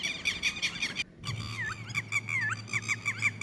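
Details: Red-wattled lapwing chicks uttering high, squeaky chirps, some sliding down then up, broken by a short silence, then resuming with a low steady hum behind them.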